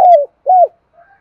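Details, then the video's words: Two clear, mellow coo notes from a spotted dove, used to stimulate doves into answering. Each note swells and falls off, about half a second apart, followed by a faint trailing sound. "tiếng cu gáy thúc bổi sung"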